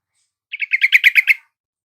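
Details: Yellow-vented bulbul song used as a lure to get a caged bird that is lazy or has stopped singing to answer. A quick bubbly burst of about eight rich, throaty notes, each one rapid and gurgling, lasting under a second in clean silence.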